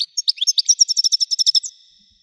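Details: Goldfinch 'Widani' song as a fast, even series of liquid, high chirps, about twelve in quick rhythm, ending in a faint, lingering thin whistle. No other sounds are audible.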